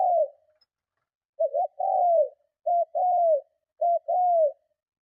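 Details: Spotted dove cooing strongly to lure and provoke other doves: low, mellow phrases, each a short wavering double note followed by a longer falling coo, repeated about every second, with no other sounds.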